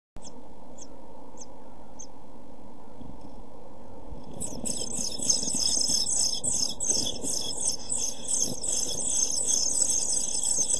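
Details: Seven-day-old European pied flycatcher chicks in a nest box, filmed by a nest box camera on 23 June 2012: a few sparse high ticks, then from about four seconds a sudden burst of shrill, rapid, high-pitched begging chirps over a steady low hum.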